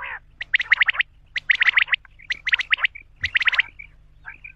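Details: A male common quail (Coturnix coturnix) calls: four quick, clipped bursts of rasping notes about once a second, with a few softer chirps in between.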